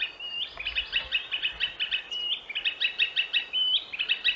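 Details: In Central Russia, a Green Sandpiper gives a fast, anxious series of high, clear whistled notes, about three a second, with a few short trills mixed in.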